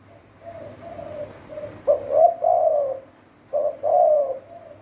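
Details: A Spotted dove serving as a trapping decoy coos softly several times, then gives two louder, resonant coo phrases with a clipped start and a long, burry tail.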